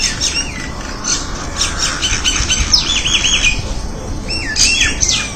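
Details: Crested myna giving loud squawks mixed with clear whistled notes that rise and then dip, repeated in quick bursts over an even background hiss.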